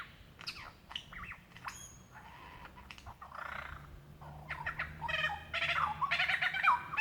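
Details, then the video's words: Lyrebird in the Dandenong Ranges, Victoria, February 2016, calling for a female: sparse clicks and whistles that grow into a loud, rapid chattering and cackling run with slurred notes. "Rare and incredible sounds of a Lyrebird calling for his mate"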